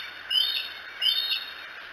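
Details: Bald eagle picked up by the Decorah eagles camera in the early hours of 07-02-2018: two piercing, high-pitched chirped notes about 0.7 seconds apart, slightly rising then falling, with a constant hiss behind them.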